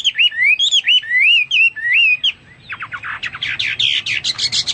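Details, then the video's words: Hwamei song of clear looping whistled phrases, then a short pause and a rapid series of harsher buzzy downslurred notes. "Burung Hoa Mi gacor"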